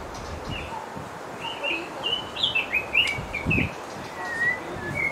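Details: White-rumped shama parents feed chicks in their nest on the North Shore; a loose series of short whistled notes, some slurred up or down, with a few low thumps and rustling.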